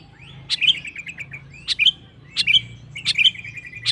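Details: Sooty-headed bulbul song meant to provoke rival males into singing: clear whistled phrases, each a sharp high note followed by a short falling, chattering trill, repeated about every second.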